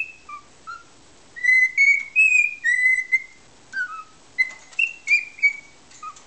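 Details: A pet cockatiel that was taught "Que Sera Sera" sings it in a good mood while lying in an odd posture showing its belly. It whistles clear, pure notes stepping between mid and high pitch, some sliding or wavering, with a quiet background.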